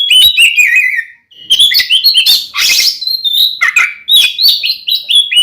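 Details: Oriental magpie-robin fighting song, a loud 'ngeplong' style used as a lure to provoke another male into anger: rapid, varied whistled phrases mixed with harsh scratchy bursts and sliding notes, with a brief pause near one second.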